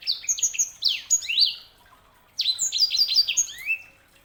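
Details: Sanger canary hybrid singing two bursts of rapid, varied whistles, trills and downward-sweeping notes, with a brief quiet gap between them.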